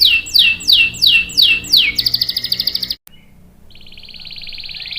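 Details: Canary song for luring and tutoring young males: a few slurred descending notes, then a quick buzzy trill, a brief break, and a sustained high rolling buzz.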